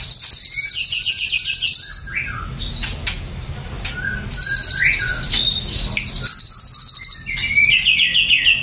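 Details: Ashy drongo singing: slurred whistles rising and falling near the middle range alternate with bursts of rapid, high, buzzy trilled notes, with short pauses between phrases.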